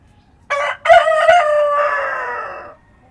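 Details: Rooster crowing at dawn amid countryside calm, a clear harmonic crow with a clipped first note, a loud middle and a long, slightly falling tail lasting about two seconds.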